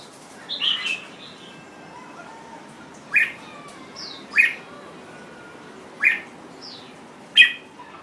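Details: Jambul bird with an opening warbled phrase, then sharp clicky chirps repeated every one to one and a half seconds, with faint thin whistles in between.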